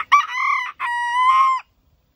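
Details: A rooster crows once in a classic two-part cock-a-doodle-doo: a sharp rising opening, then a long, steady, strongly harmonic held note ending after about one and a half seconds, followed by quiet.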